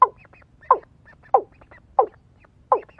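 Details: Female watercock kept as a lure for trapping, giving a quicker run of short clucking notes, roughly one every two-thirds of a second, five notes over a low background rumble.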